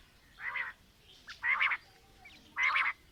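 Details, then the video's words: Quail (batair), presented as female and male calling, gives three harsh, raspy notes about a second apart, each short and broad, over quiet background hiss. "Female Batair Calling | Male Batair Sounds | Mix Calling| Batair Ki Awaz | Batair Ki lambi Awazay"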